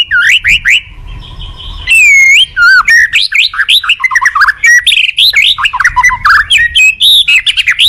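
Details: White-rumped shama singing as a tutor for other shamas: an energetic, fast medley of whistles, slurred loops and chips, about four notes a second, loud and varied throughout.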